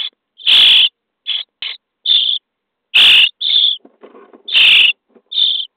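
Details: Common starling nestlings begging while fed in a nest box, day 23: loud raspy screeches alternating with shorter hissing bursts, irregular spacing, a brief softer rustling passage between calls.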